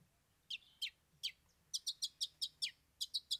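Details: Cendet (Long-tailed shrike) singing: a series of short, sharp, high chirped notes spaced irregularly, some paired or in quick runs of three, over a quiet background.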